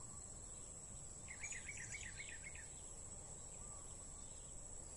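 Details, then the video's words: Blue-crowned hanging parrot heard during a bird-trapping session: a quick burst of thin, high, rapid chirps lasting just over a second, over a constant high-pitched insect drone. "Edisi Memikat Serindit"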